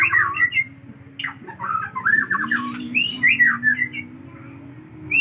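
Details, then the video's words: A caged white-rumped shama sings a long, varied song of quick whistled phrases, rising and falling slurs and short chattering notes in a small room, with a low steady hum behind. "Murai Aceh Bongkar Isian Super Panjang"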